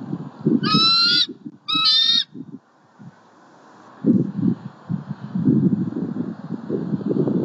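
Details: Female bald eagle vocal at a southwest Florida nest, 20 October 2019, arriving after her mate's afternoon squirrel delivery. Camera recording. Two high, shrill, stuttering squeals about a second apart over heavy low rumbling and thumping noise.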